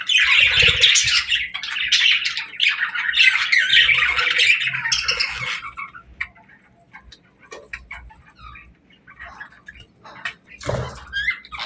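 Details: Pet parakeets chirping and squawking in a busy, overlapping burst for several seconds, then fading to scattered soft twitters and a single loud squawk near the end.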